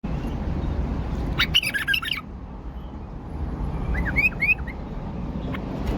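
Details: Tame caged male bulbul in Baghdad, Iraq, singing two short bursts of clear whistled notes, the second a quick run of bright rising-falling phrases, against steady low background hum.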